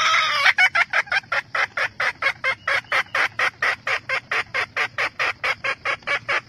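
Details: Hen red junglefowl calling the rooster: one long, strained squawk, then a rapid, steady string of over twenty clipped cackling notes, roughly two per second.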